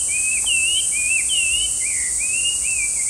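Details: Chinese hwamei, a brown bird with white eye-rings often heard in parks, sings smooth, clear whistled phrases that swoop up and down, each about half a second long, against a continuous shrill insect background.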